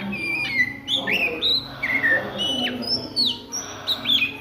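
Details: At midday an Oriental magpie-robin sings in ngriwik style: long pure whistles sliding downward, interspersed with quick upward flicks and sharp high notes, over a low steady hum.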